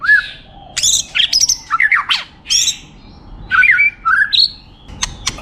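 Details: White-rumped shama, a champion competition bird, singing a rich, varied phrase of loud whistled slurs, rising and falling notes, and harsh buzzy bursts in quick succession, with short pauses between bursts.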